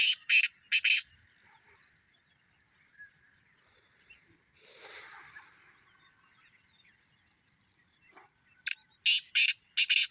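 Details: Two black francolins, "King" and "Don", call in the season's first calling session, giving harsh, grating bursts of clipped notes, a quick phrase then a rapid series, with faint chirps between; King keeps steady rhythm, Don misses a note. Black francolin.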